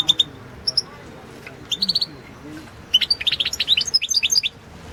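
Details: Singing European goldfinch, a 2016 World Championship in Goldfinch Song competition recording; scattered clear chirps open, then a lively tumbling twitter of rapid high notes fills the last two seconds.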